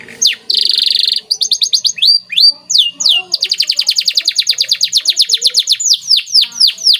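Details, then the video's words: Masteran training song from a white canary with special phrasing: a rasping buzz, rising whistled slurs, then a long rapid trill of repeated high notes and falling sweeps. "CANARY Gacor Cengkok Istimewa"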